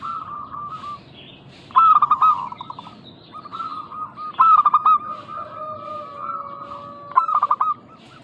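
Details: Vigorous calling of local zebra doves used as a lure so other doves respond; three loud bursts of quick staccato coos, roughly every two and a half seconds, sit over quieter continuous cooing from other birds.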